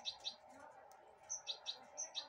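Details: Goldfinch hybrid, a caged pet of 2022, pecking broccoli held in the hand; bright high chirps come in two bursts, three then five notes, over low Spanish chatter from a man.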